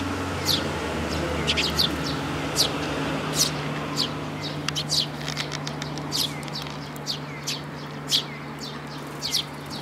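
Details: Eurasian tree sparrows, adults with chicks, recorded on 13 May 2018: a flurry of short, sharp, high chirps at irregular intervals, some in quick clusters, over a steady low hum.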